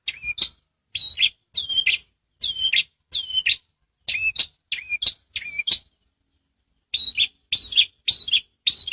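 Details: Long-tailed shrike heard as a master recording for training birds: a series of two-part phrases, a scratchy high note sliding into a lower whistled hook, repeated about every half second with one short gap.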